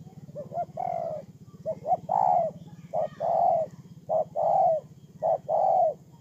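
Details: Decoy spotted dove kept for ground luring, Tu Mơ Rông, Kon Tum, Vietnam, September 2018. Paired coos, a clipped lead note and a longer sliding coo, recur roughly every second over a steady low rhythmic hum.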